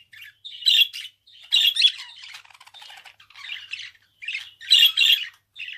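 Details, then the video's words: Pet budgerigar warbling in a chatter of scratchy, buzzy squawks alternating with softer twittering stretches, loud bursts recurring roughly every second amid a steady run of small chirps. "Kuş sesi - Muhabbet Kuşu"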